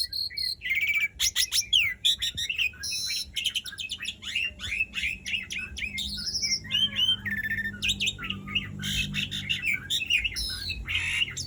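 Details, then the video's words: Lively, long rolling song of an Asian pied starling, meant to prompt silent starlings to sing: a dense, continuous jumble of chattering, rasping notes and bright whistled phrases with almost no pauses. "Jalak Suren Gacor Dor Ngerol Panjang Ampuh Buat Pancingan Jalak Macet Agar Bunyi"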